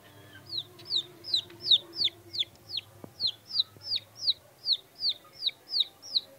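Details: Peeping of Aseel chicks kept with a rooster, a regular series of clear high falling peeps, about three each second, with a low steady hum beneath.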